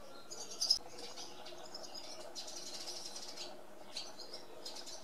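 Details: Barn swallows (Hirundo rustica) calling in short bursts of high, thin twitters, each separated by quieter gaps, with one sharp louder chirp early on.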